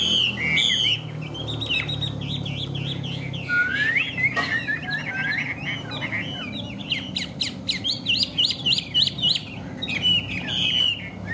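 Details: Chinese hwamei, tame and displaying, singing a long varied song: opening whistles, a fluid warbling passage with a downward swoop, then rapid staccato notes in bursts near the end, over a low hum.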